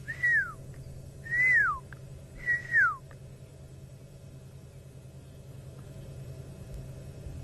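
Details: Fork-tailed drongos, likely a pair, mimicking pearl-spotted owlets around sunset on an African safari: three clear falling whistles about a second apart, then quiet, over a low steady rumble.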